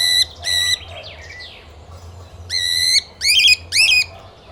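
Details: Lutino cockatiel kept with budgies and lovebirds, giving loud, harsh, rich squawks in bursts of about half a second, five in all, some flat and some wavering, with faint chirps from other birds between them over a low steady hum.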